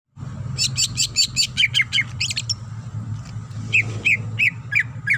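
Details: Female greater green leafbird calling the male, delivering a rapid series of sharp buzzy high notes followed by slurred downward chirps repeated about every third of a second, over a steady low hum.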